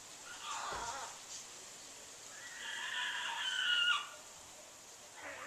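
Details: Big pet bird on a back porch, calling repeatedly on January 4, 2014; a rough squawk, then a longer, strained two-toned screech, and a fainter call starting at the end.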